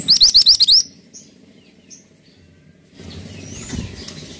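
Pied triller gives a quick burst of five high, upslurred chirps in under a second. Only faint chirps and soft background hiss follow.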